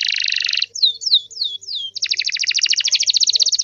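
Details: Canary song, a master recording played so that other canaries answer: a buzzy rapid trill, then four clear descending whistled notes, then a fast pulsing trill of bright, high notes.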